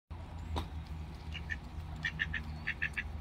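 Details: Ducks quacking while being fed: a run of short nasal quacks beginning after about a second, some in quick pairs, over a steady low rumble of background noise.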